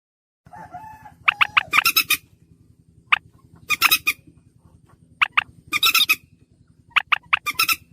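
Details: Slaty-breasted rail call recording used as a lure: bursts of sharp, clipped notes in quick runs of three or four, alternating with harsh rasping bursts, over a steady low hum.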